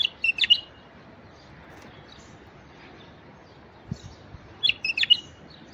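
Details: A male White-eared bulbul (Pycnonotus leucotis) sings two short, bubbly, chirping phrases about four seconds apart over a faint background hiss.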